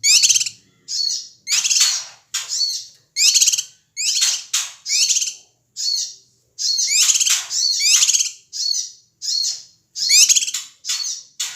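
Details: Ashy tailorbird, a male from Sumatra, giving noisy calls meant to provoke other birds: harsh, buzzy chattering bursts with rapid rattling notes, about one burst each second, with short gaps and no other sounds.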